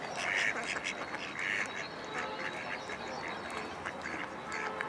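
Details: Urban female Mallard of park duck type, Amsterdam, Holland, 03-04-2011: a few spaced, hoarse quacks, louder near the start and middle, over steady city background noise.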